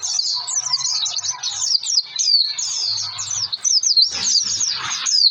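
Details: High, fast twittering song of an Oriental white-eye used as a lure to get birds to sing, with slurred whistled notes running on continuously over a faint low hum and some rustling near the end.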